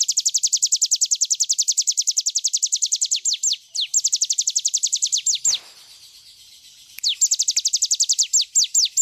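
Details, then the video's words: Cigun bird singing in full as a tutor recording for other birds: long, machine-gun-like series of thin, high, falling whistles, dozens in a row, a brief pause with a soft thump, then another fast series. "cigun nembak nembak cocok buat masteran"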